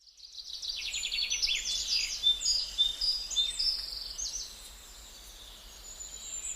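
Gouldian finch giving a thin, high, hissing song of rapid buzzy notes and squeaky whistles, fading after about four seconds over a steady background hiss.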